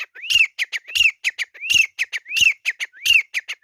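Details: Grey francolin (teetar) in a fight, calling in a fast, ringing series: rising whistled notes, each tied to harsh clicky bursts, repeated about every 0.7 seconds for five cycles with no other sounds.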